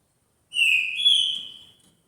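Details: Green-winged saltator song: a single loud, clear whistled phrase held near one pitch, slightly rising midway and then fading out over about a second and a half, against a quiet background.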